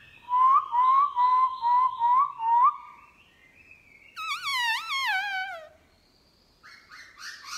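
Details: Black-throated laughingthrush morning song in wild style: a run of six rising whistled notes, then a strong wavering descending whistle, and a short harsher chatter.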